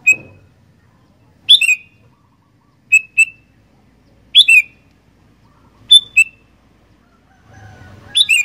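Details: Sooty-headed bulbul in full song: short bright whistled phrases, single notes alternating with quick slurred doublets, repeated roughly every one and a half seconds against a quiet background with a brief low rumble at the end.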